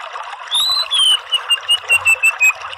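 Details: Orange-headed thrush therapy recording: a long, drawn-out whistle slurring gently downward, followed by about seven short, clipped notes spaced evenly, with background hiss throughout.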